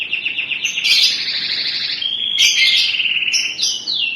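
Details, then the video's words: Canary in loud sustained song: a long rolling trill that shifts pitch several times, broken by brief sharp notes, ending on high falling slurred phrases. "#kenari #kenari3in1 #kenarigacor #kenarijambul"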